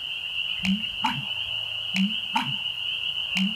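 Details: American Bittern in a marsh at Riverlands Migratory Bird Sanctuary near St. Louis, Missouri, gives its spring call: deep, hollow gulping notes in paired pumps roughly every second, over a steady high-pitched whine like insects or electrical hum.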